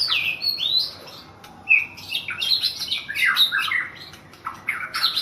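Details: White-rumped shama, a national champion bird in Thailand, singing a varied phrase of whistled and chattering notes, sliding and rising, with squawky harsh elements in a quiet setting.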